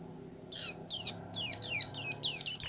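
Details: Oriental white-eye giving six thin, very high, downward-sliding notes, about two or three per second and growing louder, over a faint low hum; the recording is used to stimulate other white-eyes to open their beaks and sing.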